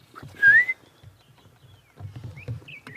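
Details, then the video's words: Oriole calling at sunrise in Sabi Sand, South Africa, on 2 June 2016, amid a bird party: one loud, liquid whistle sliding upward, followed by fainter whistles from other birds and a low rumble. "You can hear an oriole calling."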